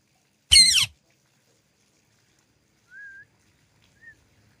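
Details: A single loud, buzzy screech from a pet green ringneck parrot, followed by two soft, thin, rising whistles.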